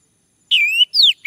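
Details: Orange-headed thrush male, as a lure so a male will sing: a long whistle that dips then levels, a bright falling slur, and a brief closing note.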